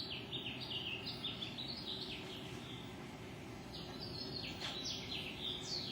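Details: Wild birds singing outdoors early in the morning at 5:33 am, a busy chorus of high, bright chirps and quick whistled notes, some rising and some falling, tumbling over each other several times a second above a steady low rumble.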